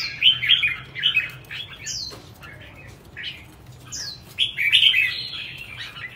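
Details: Red-whiskered bulbul kept for song contests (hót đấu): choppy warbled notes, a couple of clear downslurred whistles high up, then a loud bubbling phrase at the end.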